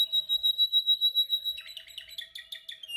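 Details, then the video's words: Canary practising its song in training: a long steady pulsed whistle tour repeated about three times per second, shifting into faster buzzy chattering notes, loud and clear over a faint background hum. "Your canary sings immediately when he listens to this canary singing"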